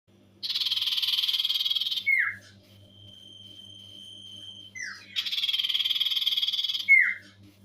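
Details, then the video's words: Common iora singing a lively high-volume trilling ngetir song: a loud buzzy rapid trill lasting about one and a half seconds, dropping into a slurred falling note, then a long flat whistle, and a second trill burst, over a faint low electrical hum. "Burung sirtu/cipoh gacor ngetir polume tinggi"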